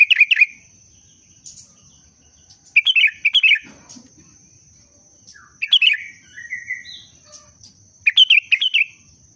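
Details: Sooty-headed bulbul in breeding condition, a local song used to rouse other birds: short bursts of bubbly, slurred whistled notes roughly every three seconds, with a steady high thin tone held through the background.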